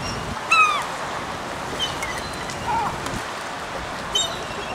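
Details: Feeding seagulls on Elliott Bay in Seattle, Washington: one loud, strained, falling call opens, followed by fainter scattered squeals, with a continuous rushing background of water and distant traffic.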